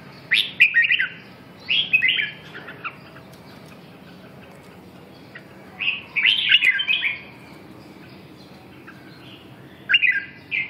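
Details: Red-whiskered bulbul singing in short bursts of bright, warbling whistled notes, each phrase about half a second to a second long, separated by quiet pauses of a few seconds; no other clear sounds.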